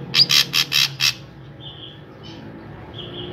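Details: Drongo in full song, recorded as a lure to get other drongos singing: five loud, harsh, buzzy bursts in quick succession, then a pause and two faint, thin whistled notes.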